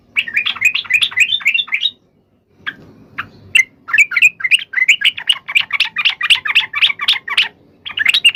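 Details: Yellow-vented bulbul giving a fighting song meant to provoke other bulbuls into replying: quick chattering phrases, a short break, then a long lively run of sharp repeated notes, several per second.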